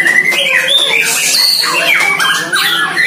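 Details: Young caged White-rumped shama, one year old, countering a neighbour's shama in its first training: clear sustained whistles, then quick upward and downward slurred notes, over the other bird's song.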